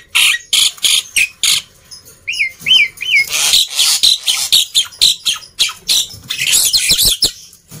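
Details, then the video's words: Noisy black-winged myna song meant to coax reluctant birds into singing: a fast string of harsh chattering bursts broken by three clear looping whistles in the middle, then more scratchy rapid notes. "Kicauan Burung Jalak Putih Gacor Ribut || Pancingan Burung Jalak Malas Bunyi"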